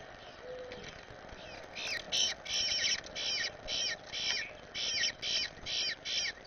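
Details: Fledgling Eastern bluebird from the first clutch, one of four young visiting a yard with its parents and being fed, giving buzzy, high begging bursts in a rapid series, a couple each second, over steady background hiss.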